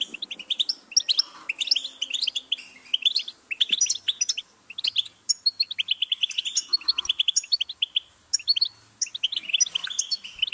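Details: Long stretch of European goldfinch song, a continuous chattering stream of metallic chirps, trills and buzzy slurs with scarcely a break.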